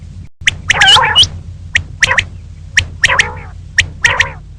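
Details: Female common quail calling in the morning: rasping, nasal squawks alternating with sharp high clicks, about one burst per second, over a low hum.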